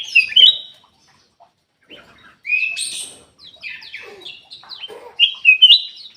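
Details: Lure song of a Ruby-throated bulbul meant to make reluctant caged birds sing: short bright whistles with upward and downward slurs, separated by brief pauses, scattered soft chirps between phrases.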